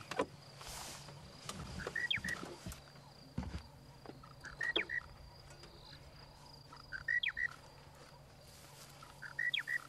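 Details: A Monotonous Lark at Djuma Game Reserve, South Africa, on 12 March 2017, possibly further away than thought, repeats a short, slurred, mid-pitched phrase about every 2.5 seconds, over a steady insect whine, faint hum and scattered clicks.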